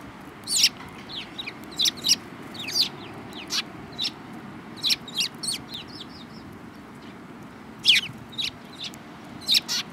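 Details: A flock of Eurasian tree sparrows, including one yellow-beaked bird, on 7 March 2018, chirps busily: many short, sharp notes overlapping in quick bursts throughout, some bright and piercing.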